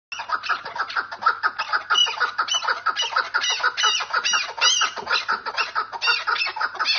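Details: Chukar partridge, described as female, giving dense harsh clucking and squawking notes in rapid overlapping series, about two per second, with bright chattering bursts throughout and no pause.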